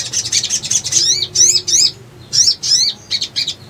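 A leafbird sings a high, rapid chatter, then a run of bright sweeping whistles in quick bursts about every half second.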